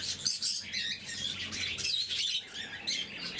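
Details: Lovebirds of the blue mutation, being fed in the morning, keep up a busy high-pitched chorus of piercing chirps, squeaks and rapid twittering trills, all overlapping.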